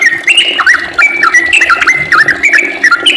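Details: Sooty-headed bulbul singing loudly in the long, rapid 'ropel' style: quick chains of liquid, slurred whistles stepping up and down, several phrases a second with barely a gap.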